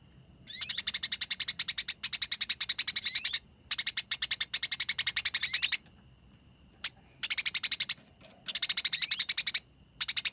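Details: Fighting Eurasian tree sparrow delivering konslet-style, rolling nyerecet chatter for bird training: bursts of fast, scratchy pulsed notes lasting one to two seconds, broken by short silences, with a few upward-sweeping squeaks mixed in.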